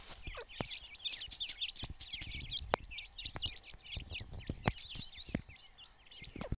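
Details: Dakhni teetar partridge chicks calling together, a dense chorus of high, sharp, downslurred cheeps tumbling over one another, with scattered clicks and taps.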